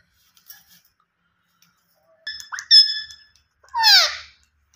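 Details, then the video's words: Rose-ringed parakeet calling: a quiet start, then a short squeaky note, a sharp shriek and a descending harsh screech near the end. "Gareen Ringneck Parrot Natural Sounds Vice"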